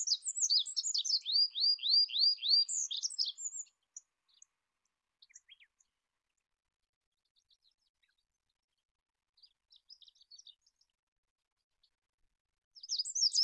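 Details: Olive-backed pipit song: a high, rapid run of sharp notes, then a string of about seven quick downslurred whistles. A long quiet stretch follows with faint distant chirps, and the song starts again at the end.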